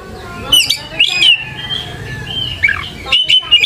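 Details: Short burst of Oriental magpie-robin song from a lure recording for young birds; a few loud whistled notes, a drawn-out level whistle and a falling slur, followed by quick sharp chips.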